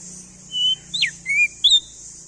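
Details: Sparse, spaced whistles from a male crested white-eye of East Nusa Tenggara, Indonesia: a level note, a steep falling slur, then two short rising whistles, over a steady hiss and a low hum.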